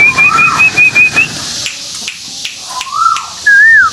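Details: Lure recording of a white-billed tuwu bird from Malaysia: a fast series of high wavering whistles over a lower slurred note, a pause, then two separate arched whistles, the last louder and descending.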